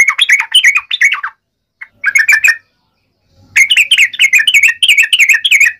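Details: Yellow-vented bulbul giving a fighting song of the ngalas uplik ropel type to trigger replies: jumbled, rolling chatter notes in three groups split by short silences.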